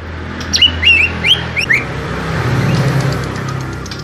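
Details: Small-bodied greater green leafbird giving a quick run of bright, slurred whistled notes that rise and fall over about a second, followed by a low hum with no birdsong.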